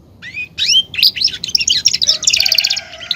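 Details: Belgian canary, a caged male, sings rising whistled slurs followed by rapid chattering notes and a fast rolling trill.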